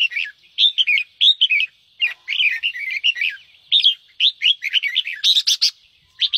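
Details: Red-whiskered bulbul, ché song style used to excite newly caught birds to sing: a lively, almost continuous run of chirpy warbled notes, with a few harsh scratchy bursts near the end.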